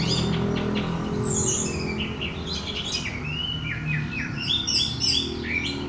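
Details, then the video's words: Song of an orange-headed thrush used to provoke another bird to sing, made of looping slurred whistles and quick overlapping chirps that rise and fall, with low hum underneath. "pancingan anis merah bunyi lanjut teler"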